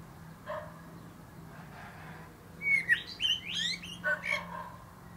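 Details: Singing from a plum tree top, a common blackbird opens with a soft low note, goes quiet, then delivers a burst of mellow whistles mixed with high squeaky twittering flourishes over a steady low hum.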